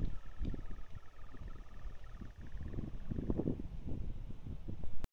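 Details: A European nightjar churring on Blackheath, Surrey: a faint, steady, mechanical, even-pitched purring trill that runs on without a break, half-buried under heavy low wind rumble and distant traffic.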